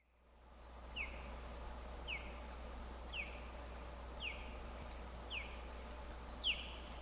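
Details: Osprey on River Road near Lake Placid, New York, in the Adirondacks, 28 August 2021: six short, sharp whistled chirps, each sliding downward, repeated about once a second over a steady high insect drone and low hum.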